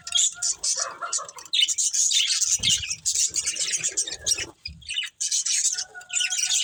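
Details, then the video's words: Breeding pair of budgerigars chattering in dense, scratchy high warbles broken by short gaps, with a few thin whistled notes and soft knocking sounds underneath. "Cute Budgies Chirping Sounds"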